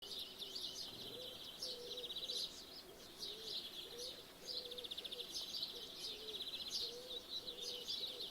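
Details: Birds singing in the morning, heard through an open window; dense high twittering and trilled phrases from several birds, with a lower repeated cooing note in the background and steady ambient hiss.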